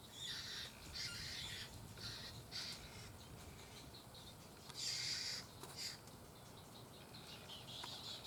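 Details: Three Little Blue Heron chicks beg as their parent arrives to feed them at a nest beside a pond in southwest Florida, 17 May 2020: harsh, raspy bursts in uneven clusters over a steady insect hum, with thin descending whistles from other birds.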